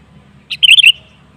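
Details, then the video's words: Sooty-headed bulbul lure song, played to prompt other bulbuls to sing: one short burst of bubbly, slurred whistled notes lasting under half a second, with faint low hum underneath. "Suara Pancingan Burung Kutilang"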